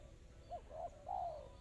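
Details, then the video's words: Brief spotted dove phrase in the fast, close-set, clear kristal rapat cepat style: a small clipped coo, a fuller coo, then a long, gently descending final coo over a faint low rumble. "Suara burung tekukur kristal rapat cepat."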